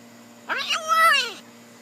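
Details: Pet blue-and-gold macaw perched on a person's shoulder, talking and jabbering indoors: one drawn-out, harmonic vocal sound that rises then falls, nearly a second long, with a woman speaking softly to the bird around it.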